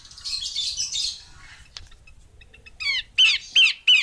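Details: After a brief noisy hiss, a female Horsfield's babbler utters three or four loud, harsh squawk notes in steady succession, each a coarse rasping burst.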